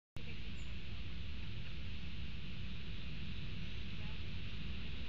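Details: Steady, loud, rumbling broadband noise like wind or an engine fills the recording from start to finish, with no animal voice standing out.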